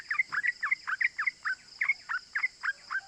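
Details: Yellow-vented bulbul giving easily copied 'cuk cuk' calls as a lure for other bulbuls: rounded, gurgling two-part notes repeated almost twice per second in an even, bouncing rhythm.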